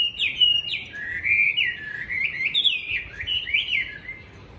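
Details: Caged tame Chinese hwamei from Hanoi, Vietnam, kept as a fighting bird, pours out a high, continuous string of slurred whistled warbles, each phrase swooping up and down, fading slightly at the close.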